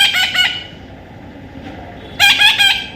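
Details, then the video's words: Raspy, clipped squawks from a baby parrot, one short burst at the start and another run of several harsh notes after a quiet gap. "natural funny parrot sound"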